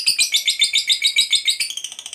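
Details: Chattering ngekek of a fighter lovebird, a lure for other lovebirds: a quick run of piercing, squeaky notes, each with a bright whistled tone, speeding up and softening at the end.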